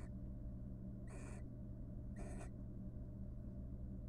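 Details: Two coarse, hissing screech calls a second apart from a wild barn owl pair courting in a nest box after raising three nestlings, with a steady low mechanical hum throughout.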